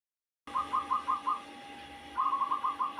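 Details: [4, 'Zebra dove with an unusual call, a trapped bird kept for a few weeks: soft, rolling mid-pitched notes in a quick stuttering series, a pause, then another run, over a steady electrical hum.']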